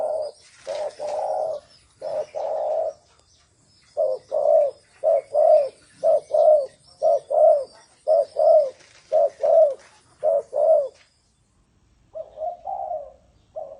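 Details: Spotted dove in the thổ sấm style giving a long series of low mellow coos, about one per second and fairly regular, then a brief pause and a few softer coos.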